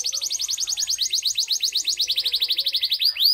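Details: A local canary sings a fast, rolling trill of high, bright notes at about nine per second, ending in a couple of rising upward sweeps.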